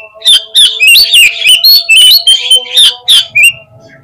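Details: Lure song of an Oriental magpie-robin, meant to provoke a fast reply and tail spreading: a dense, energetic run of shrill whistles, trills and swooping notes, about three bursts a second, over a faint steady tonal hum.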